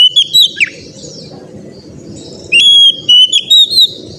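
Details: Oriental magpie-robin training song for untrained birds: a short downward whistle, a pause, then a clear whistled phrase of held and wavering notes, with a steady low rumble behind.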